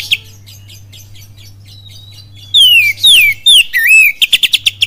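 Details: Pancingan song of an oriental magpie-robin, full kapas tembak style, Cililin: soft scattered chips, then three strong whistles sliding downward, a rising curl, and a fast run of about six staccato notes; faint steady hum beneath.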